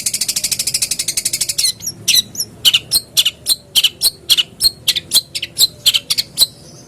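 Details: Long-tailed shrike song meant as a lure to get caged birds singing quickly: a fast, even trill of about twenty high notes lasting under two seconds, followed by around fifteen sharp, piercing chirps spaced irregularly.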